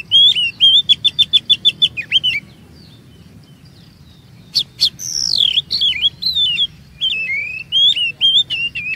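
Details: Oriental magpie-robin song played as a lure so other magpie-robins sing longer: a rapid rattling series of about ten sharp notes, silence, then high falling whistles and warbled phrases.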